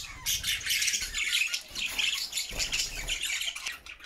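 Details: Flock of pet budgies singing cheerfully in their homemade cage; busy warbling chatter with harsh squawky notes and short chirps, in uneven pulses.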